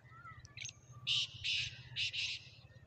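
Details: Short harsh phrase of a Black francolin (Kala Sindhi teetar), 14 March 2024: four loud scratchy notes in two pairs, preceded by a faint click and thin whistles, over a low background hum.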